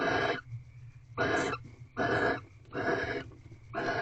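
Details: Nineteenth night of barn owls mating in a corral owl box, 3/8/23: five raspy hissing bursts at an uneven pace over a faint low hum.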